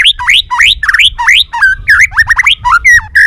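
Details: White-rumped shama balak 6 song, a bird-catching lure: rapid rising whistled notes repeated about three times a second, shifting into varied slurred whistles and a closing steady note.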